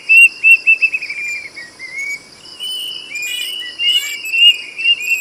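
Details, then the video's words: Ringing whistles of a plaintive cuckoo: a fast descending run of notes, then slower rising phrases. A scratchy burst cuts in partway through, and a steady insect hum sits beneath. "SUARA BURUNG KEDASIH ‼️ SIULANYA NYARING BANGET"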